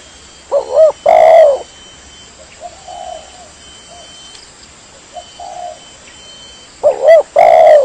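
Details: Spotted dove lure call: two loud cooing phrases, each a short rising-falling coo then a longer trilled coo, with softer distant coos between them and a steady high hiss behind.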